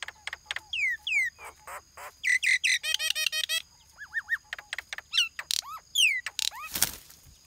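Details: Lineated barbet mother defending her tree-hole nest and chicks from harassing mynas, chasing them away; a busy mix of rapid rattling bursts, downslurred whistled notes and harsh squawks, with one loud broadband burst near the end.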